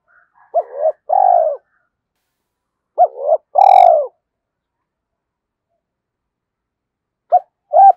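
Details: Spotted dove used as a decoy, stimulated to coo, thổ sấm voice: repeated phrases of short clipped coos followed by a longer, rich coo, spaced by silent gaps of several seconds.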